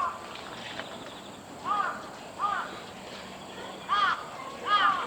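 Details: ['Large-billed crow on Gongen-yama, 26 September 2020: four short arched, slightly nasal calls with rich overtones, spaced irregularly about one to two seconds apart, over a quiet rural background with faint voices.']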